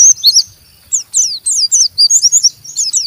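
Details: Oriental white-eye giving a rough chattering 'ngeriwik' song meant to stimulate other white-eyes to sing: rapid high, thin, sharply slurred chirps in quick bursts, with short pauses between the clusters.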